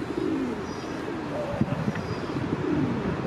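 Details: A feral city pigeon courting in Mannheim, Germany, gives low, rolling coos, soft throaty phrases repeated over a few seconds with a faint background rumble.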